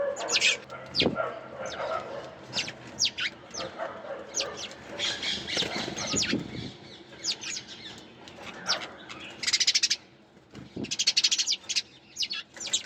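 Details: Chirping sparrows give quick bright tweets in irregular runs, some notes stacked tightly together, with wing flutters and a faint low background rumble.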